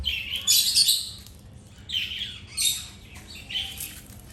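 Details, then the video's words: Feeding birds give squeaky, twittering calls: a long chirp burst, then shorter downward-sliding chirps spaced about a second apart. "Birds eating & chirping sound"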